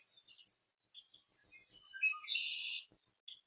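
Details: Oriole recorded on May 13, 2026: a quick string of short whistled notes at varied pitches runs into a loud, raspy chatter, then a final brief note, against near silence.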